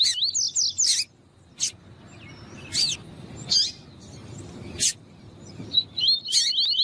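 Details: A male Rusty-collared Seedeater sings with a female calling: bursts of high, fast warbled and buzzy phrases with sharp chirps, broken by loud clicks and short pauses.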